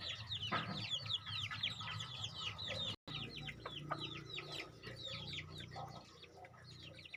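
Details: Two-month-old crossbred decoy red junglefowl chicks peeping together: a dense flock of short, high, down-slurred cheeps overlapping continuously, with a low hum underneath and a brief dropout near the middle.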